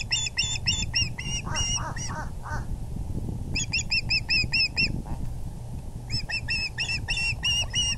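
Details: Rapid bursts of clear, ringing osprey chirps, several per second, broken by a few lower, slurred notes and short pauses. Recorded at the VGCC nest on the evening of April 6, 2020, when the male arrived with a big fish.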